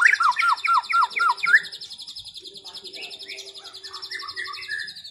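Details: Dueling white-rumped shamas just out of moult, set against each other to regain form: loud repeated downslurred whistles over a sustained high buzzy trill, which continues beneath softer varied warbled phrases.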